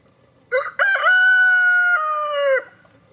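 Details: Rooster outdoors in cold, snowy weather among pecking hens, giving a loud, close crow: two short rising notes, then a long, level, sustained note held for about a second and a half before dropping away, with a quiet background.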